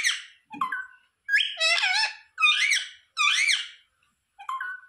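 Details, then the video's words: Pet rose-ringed parakeet talking, said to repeat "sita ram": a series of harsh, voice-like squawked syllables in short bursts with brief silences between, ending on a thinner, softer phrase, recorded indoors. "Parrot talking sita ram || sita ram bolne wala mitthu || ये मिट्ठू तो सीता-राम बोलता है"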